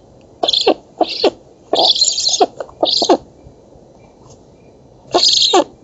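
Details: Begging black stork chicks at feeding time, oak nest in Poland, August 2017: a few scattered harsh hissing bursts separated by quiet gaps.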